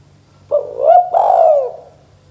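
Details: Lure call of a spotted dove in the lively 'kuk 2' pattern: one rising coo and a sustained husky coo that slopes downward, over a faint low hum.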